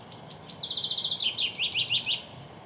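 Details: Male common chaffinch singing in nature: a bright, high descending song that opens with a run of quick repeated notes, then speeds into a rattling series and ends in a short flourish, over faint background hiss.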